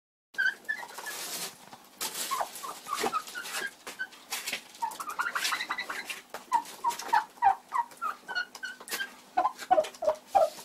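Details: Bronze turkey hen, egg bound, recorded in February: soft clucks and short yelping notes that grow into a rapid, uneven run of repeated calls in the second half, with clicks and handling noise throughout.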